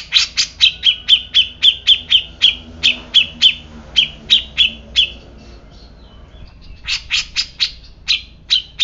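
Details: Grey-cheeked bulbul: a fast run of sharp, high chirps, about four per second for five seconds, a brief quiet gap, then another burst of the same clipped notes.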